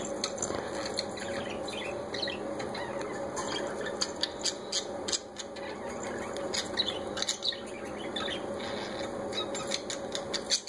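Parakeets chatter in a busy flock, with short sharp squawks and chirps scattered throughout over a steady rustling background.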